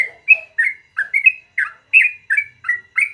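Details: Yellow-vented bulbul singing a long, rapid 'ropel' song in the morning: bubbly, slurred whistled notes around a steady mid pitch, about ten in three seconds, each with a short rising or falling twist, no other sounds.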